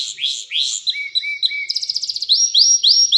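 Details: Canary singing, a recording meant to teach young canaries: upward-sweeping chirps, a few low flat whistles, a rapid buzzy trill, then repeated bright rising sweeps.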